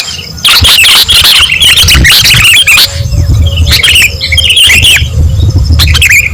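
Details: Sooty-headed bulbul song from a recording used to lure birds: bright, quick chirpy phrases in short bursts with gaps between them, over a heavy, distorted low rumble.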